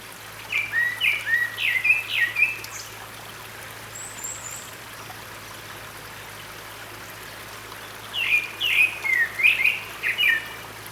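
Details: Grey-backed thrush singing at Sinwonsa Temple on Gyeryongsan Mountain, Korea, on 6 May 2022, in a valley beside running water: two bursts of quick varied whistled and chirping phrases, separated by a long pause, over a steady stream hiss.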